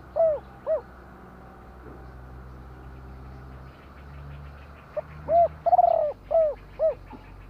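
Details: Spotted dove cooing: two short hollow coos, a pause, then a phrase of a soft opening note, a rolling vibrato coo, a falling coo and a final short coo, low and mellow over a faint steady hum.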